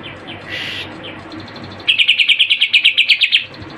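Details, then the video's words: Greater green leafbird mimicking Kapas Tembak and Cililin: a soft squeaky note, then a fast run of about fifteen bright, pulsed high chirps lasting under two seconds over a faint steady hum. "Cucak Ijo Gacor Full Isian Tembakan Kapas Tembak dan Cililin"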